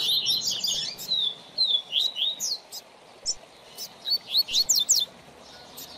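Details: Seedeater (coleiro or papa-capim) tutor song for an apprentice bird: a fast, high twittering opening, then spaced slurred whistles and a final burst of sharp rising notes.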